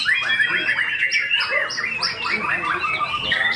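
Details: Competing white-rumped shama at a bird contest delivering a dense, fast medley of whistles, chattering notes and high sharp accents, with background chatter from the event.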